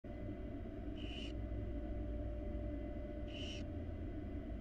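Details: Wild barn owl at a monitored nest box, a mother with her chicks: two short, harsh hissing screeches about two seconds apart over a steady low rumble.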